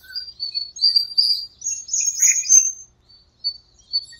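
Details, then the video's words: Dawn birdsong in a small park during breeding season and the rainy season, with drawn-out high whistles, a sharp burst of chirps midway, then short thin whistled phrases. "공원의 새소리 - 새벽에 잠이 깨서 듣게 되었네요."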